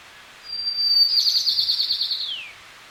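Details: White-crowned sparrow song from the Sierra foothills, California: a steady high whistle leads into a long buzzy trill of rapid repeated notes, ending in a downward-sliding slur.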